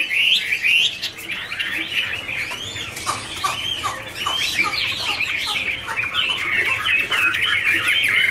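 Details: Chinese hwameis in a dancing, wing-flicking duet: busy jumbled warbling of short slurred whistles and chattering notes, uneven and rapid throughout.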